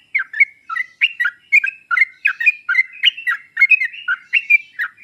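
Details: Sooty-headed bulbul singing as a lure for a bird that rarely sings: continuous bright, chattering two-part notes tumbling one after another without a break.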